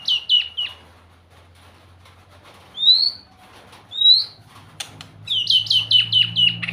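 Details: White-rumped shama singing sweetly: quick runs of bright downslurred whistles open and close the phrase, with two separate rising, slurred whistles in between and a faint low hum beneath.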